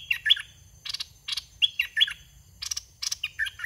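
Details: Red-whiskered bulbul in a cage, used to lure wild birds, repeating short bubbly whistled phrases of soft wild-style 'soe' song in quick succession, each a cluster of bright chirpy notes about half a second apart.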